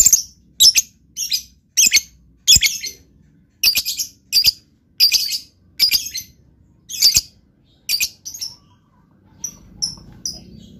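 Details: Sharp, very high lovebird chirps in short harsh bursts, about one every half to one second with uneven gaps. Thinner, fainter peeps follow near the end over a quiet background.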